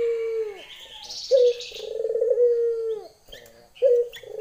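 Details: Female Barbary dove calling a male: a short sharp note, then a long low purring coo that rolls and fades, then another short note; faint higher chirps of other small birds above.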